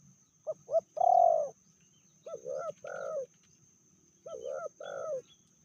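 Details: Spotted dove hen, said to be fiercer than the male, medium voice: two quick short notes, a long loud mellow coo, then two pairs of softer lower coos.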